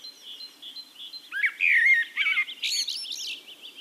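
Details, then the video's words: Wild Eurasian blackbird singing in Castricum, the Netherlands: soft distant notes, then a mellow fluted warbling phrase, closing with a squeaky high twitter of rapid thin notes. "Relaxing Birdsong: Blackbird"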